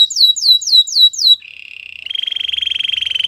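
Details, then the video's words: White canary song with rapid falling whistled notes, a short buzzy low trill, then a loud steady pulsed trill held to the end. "Canary singing birds sounds at its best | White canary singing"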